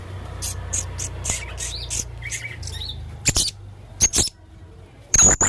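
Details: Male blue-crowned hanging parrot singing vigorously in a full, varied style: a run of thin, high chirps with rising and falling inflections, followed by sharp dry clicks and a few louder high squeaks.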